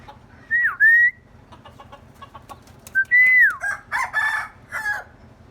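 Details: Common myna calling in many voices, a bird said to learn human sounds: loud, pure whistles falling then rising, repeated twice, followed by harsher, buzzy squawks over a steady low hum.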